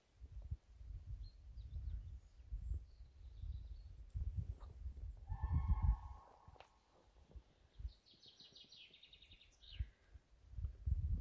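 A common crane gives one short, rolling trumpet call over heavy wind rumble, followed by a quick series of high chirps from a smaller bird.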